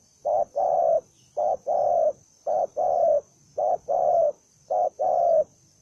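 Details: A lone spotted dove, described as aggressive and eager to fight, coos steadily. Five two-part phrases, each a short low note followed by a longer, slightly falling one, repeat about once a second against a faint steady hum.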